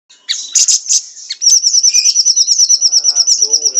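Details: Siri-siri songbird in full, fast, tightly packed song with many varied phrases, used as tutor song for training caged songbirds. Opens with bright, high chirps, then a rapid, regular trill of high notes repeated about three times per second.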